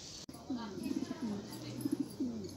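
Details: Rare Australian pigeons cooing: low, soft rolling coos, a drawn-out falling note followed by clusters of short pulsed notes, repeated across the clip over a steady background hiss, with a sharp click at the very start.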